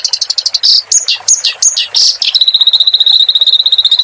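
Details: Clamorous reed warbler song recorded for training caged birds. Loud chirps and slurred whistles are followed by a long, steady, rapid trill of identical high notes.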